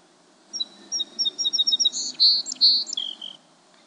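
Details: A song sparrow, recorded in March 2012, opens with quick crisp high notes, then shifts into a buzzier rolling trill and a jumbled ending, all within about three seconds.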